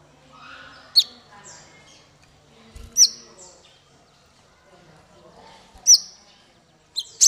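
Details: Sparse, sharp high notes from a male brown-throated sunbird, four separate chip-whistles a couple of seconds apart over a faint murmur.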